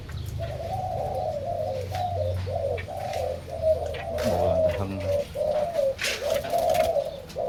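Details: Zebra doves, many pairs kept in large cages at a home, cooing: a steady series of short, soft, mid-pitched rolling coos repeated about every half second, with faint clicks and room noise behind.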